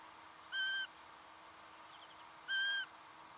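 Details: Singing honeyeater in Victoria, Australia, November 2011, giving two separate flat, nasal, buzzy-toned notes about two seconds apart against quiet background hiss.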